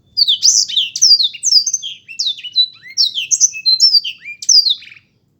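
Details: Black-throated canary singing a rapid, continuous run of bright whistled notes, mostly sharp downward slurs and short trills, lasting about five seconds before stopping abruptly; no other sounds.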